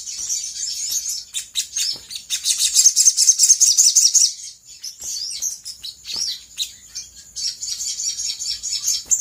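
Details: Sooty-headed bulbul, locally sogok ontong, singing in a lure meant to make other birds quickly answer. High chirping phrases build to a dense twittering burst, then pause before shorter slurred notes resume.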